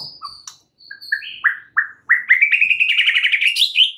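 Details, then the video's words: White-rumped shama song used as a lure to provoke other shamas into singing: sparse whistled notes, then a run of short downslurred whistles rising in pitch, ending in a rapid, loud rolling trill. "PANCINGAN murai paling AMPUH"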